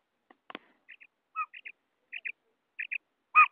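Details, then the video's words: Female quail call, played as a lure for quail hunting in Pakistan: short paired high chirps repeated about every 0.6 seconds, with a few clicks and a louder harsh burst at the end. "batair female voice"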